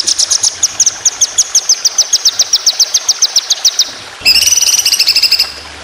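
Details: White-rumped shama delivering a fast 'roll speed' shot for competition bird training: about twenty crisp high notes repeated steadily, then a louder quick rippling trill with layered whistles.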